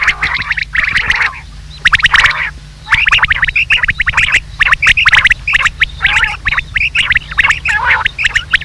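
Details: Rain quail calls from a hunting lure recording, with dense, overlapping bursts of short, squawky notes and sharp clicks, running almost continuously with brief pauses.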